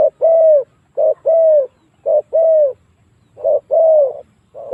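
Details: Spotted dove lure call used to draw wild doves into fighting: paired cooing notes, a short low note then a longer, slightly downslurred coo, repeated about once a second, with a quiet low hum beneath.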